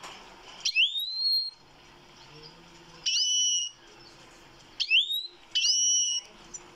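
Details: Goldfinch singing: four clear, upward-sliding whistled notes, some ending in a level tone, spaced unevenly over several seconds against faint background noise.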